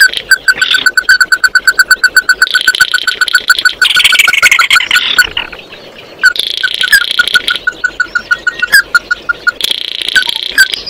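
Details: Oriental white-eye calling the flock with long runs of rapid, evenly repeated mid-pitched piping notes, broken by several bursts of harsh, buzzy, higher chatter.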